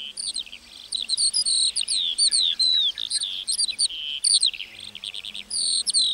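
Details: Lark singing in a meadow: an unbroken, fast, high-pitched warble of chirps, slurs and trills, notes crowding together in a lively run lasting several seconds.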